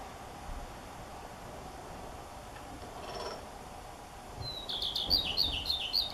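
A common redstart sings one high, thin introductory note, then breaks into a quick, scratchy twittering phrase, over faint outdoor background noise.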